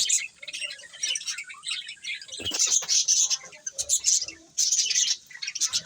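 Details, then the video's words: Colourful budgies chirping together: dense, high, scratchy twittering chatter, broken by brief pauses near 2.5 and 4.5 seconds before the overlapping chirps resume, with sharp clicky notes mixed in. "Colourful Budgies Chirping Sounds"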